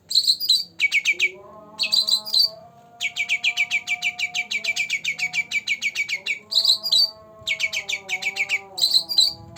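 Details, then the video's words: Two-month-old captive green leafbird in full energetic song: rapid bursts of sharp high chattering notes alternating with brighter warbled phrases, short pauses between bursts, over a faint steady low hum. "Cucak Ranting Gacor Dor Dor pancingan untuk burung yangg jarang bunyi"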